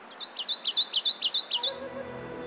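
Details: Wood warbler in spring in Welsh broadleaf forest, a migrant arriving late April, sings its accelerating song: about eight high, thin, clipped notes roughly four per second, then lower tonal sounds, likely narration or music.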